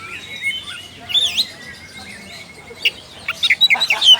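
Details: Oriental magpie-robin calling a rival: scattered whistled notes and a short sweeping phrase, then a burst of quick high chirps near the end over faint background hiss.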